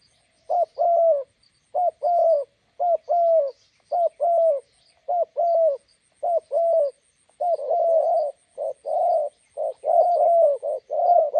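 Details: A roadside spotted dove decoy calls while meeting a wild bird. A long run of regular, mellow coo pairs, each a brief note then a longer one, speeds up and overlaps toward the end as a second bird seems to join.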